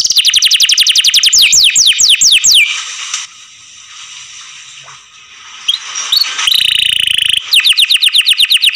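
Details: A canary kept at home sings a fast trill of falling sweeps, goes quiet apart from faint room noise and a few soft notes, then picks the rapid trilling up again.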